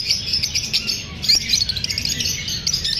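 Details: Pet lovebirds, described as parrots chirping after feeling unsafe while being filmed, giving a dense, continuous stream of high, sharp chirps and tweets that overlap with no pause.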